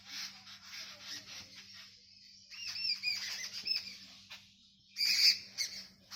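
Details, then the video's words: Village birds chirping in a dense, overlapping chorus of high squawks and chirps, loudest near three and five seconds, with a steady low hum beneath. "CHIRPING SOUNDS OF BIRDS,In my Sweet Village"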